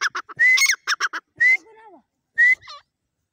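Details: Grey francolin calling, a quick run of short clicking notes followed by loud, clear whistles that rise slightly. The whistles repeat about once a second, with softer trailing notes after them.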